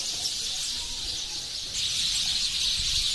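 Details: Thousands of sparrows gathered in a mulberry tree near human settlements, a dense, unbroken wash of high overlapping chirps and twitters from the whole flock, growing slightly louder in the second half.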